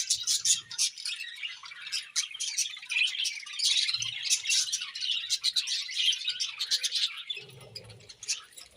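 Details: Budgerigars feeding in the morning keep up lively high chirping and warbling chatter throughout, with a few soft low bumps in the background.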